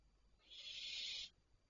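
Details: Barn owls at night, 01:26 on 3 July 2023: a single harsh, breathy hiss lasting just under a second, steady and noisy without any tone, over a quiet background.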